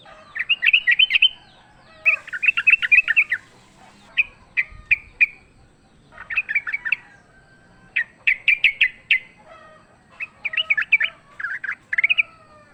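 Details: Sooty-headed bulbul fighting in the wild, recorded as a lure. Repeated clusters of fast chattering notes alternate with a few isolated sharp chips.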